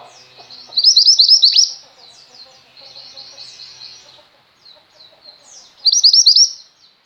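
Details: High, rapid twittering from a female mountain white-eye, kept as a tutor for pet white-eyes: a loud chirping burst, softer buzzy runs of high notes, a pause, then another loud shrill burst.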